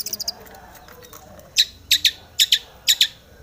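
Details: Long-tailed shrike in full song, aggressive and seeking a rival: a quick burst of four sharp, high chips, then pairs of harsh buzzy notes spaced about half a second apart.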